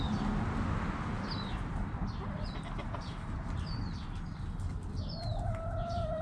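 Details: Backyard flock of hens and roosters: steady faint clucking under repeated high, downslurred small-bird chirps, ending with a drawn-out, even, nasal chicken note of about a second, over a constant low background rumble.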